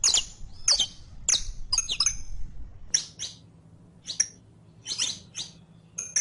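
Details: Saffron finch, called canario criollo, in audio for training a captive bird to sing: loud high chirps and twittering phrases, spaced irregularly, with low rumbling background noise early on.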